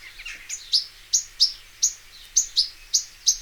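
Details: Goldfinch singing in the wild: a short burst of soft twittering, then clear, piercing high chips spaced about three to a second, each bright and slightly falling.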